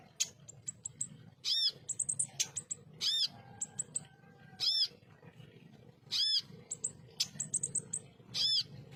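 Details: {'type': 'text', 'text': "Ruby-cheeked sunbird in a tutor recording of rough 'tembakan kasar' song: strong, arched, ringing notes about every 1.5 seconds, with tight clusters of thin high chips and sharp ticks between them."}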